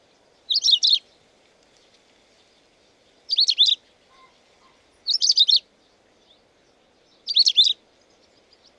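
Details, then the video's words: Carpodacus sibiricus, the long-tailed rosefinch, repeating a brief bright trilled phrase of a few rapid up-and-down notes roughly every two seconds, four phrases in all, with near silence between. "Как поёт урагус? (длиннохвостый снегирь)"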